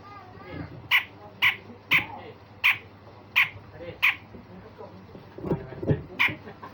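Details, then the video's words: Grey-cheeked bulbul giving rough rasping calls, a style called besetan kasar, used to train other songbirds: harsh buzzy bursts repeated about every half second, with faint low background noise. "Cucak jenggot Besetan Kasar dan Tembakan Tajam"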